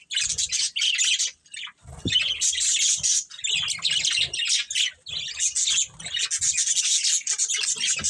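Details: Budgerigars of a breeding colony chirp nonstop, high twittering and warbled chatter in clustered bursts separated by short breaks, accompanied by low tapping and rustling.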